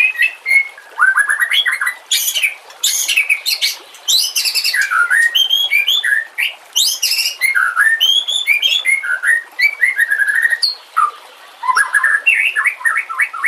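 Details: White-rumped shama, recorded with water sounds for training other birds, pours out a long rich song of whistles, buzzy harsh bursts and rapid trills in dense, almost continuous phrases.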